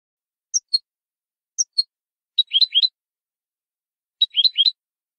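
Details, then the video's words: Malagueño-style canary song meant for educating birds: two isolated high double notes, then two denser clusters of rapid, tumbling chirps separated by a pause. "cd canto malagueño"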